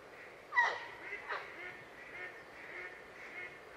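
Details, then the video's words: Grey heron giving one loud, harsh, rasping croak near the start, followed by a couple of softer rough notes over a steady hissing background. "Vogelstimmen: Der Graureiher - Grey heron - Ardea cinerea"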